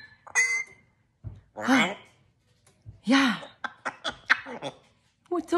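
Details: An African grey parrot named Romeo gives humanlike laughs, bursts of chuckling that rise and fall, with a sharp whistled note, interrupting a woman who keeps asking to speak; Grey parrot.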